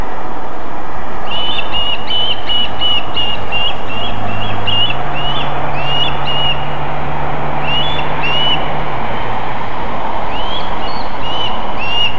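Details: Osprey landing at its nest in Võrumaa, South Estonia, near a river and a fish farm, on 24 July 2021 at 18:16. It gives runs of short, high whistled chirps, several per second, in loose bursts over a low rumble of wind or engine.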